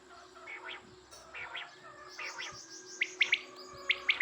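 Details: Quail calling, with faint chirping and trilled background notes for most of the time, then sharp, bright, high calls in quick doublets and triplets from about the three-second mark, rising in loudness.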